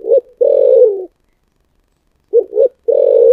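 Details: Spotted dove singing in the 'giọng thổ sấm' voice style: a short low coo, then a long throaty rolling coo, a pause, then a double hooted coo and another long rolling coo, all low-pitched and clean.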